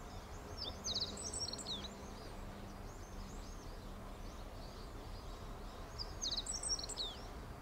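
A Meadow Bunting sings two quick, high, jumbled phrases of sharp twittering notes, about five seconds apart, over a low background rumble and a faint hum.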